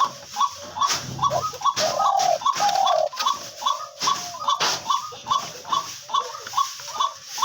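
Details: A captive Spotted dove kept as a hunting decoy, which calls very often and keeps calling even with its beak held, coos steadily: soft hollow notes repeated about twice a second over faint clicks and room noise.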